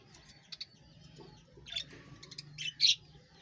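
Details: Australian parrots in a breeding colony giving short, bright, high chirps and squeaky notes in scattered bursts, loudest and densest toward the end, over a low background hum.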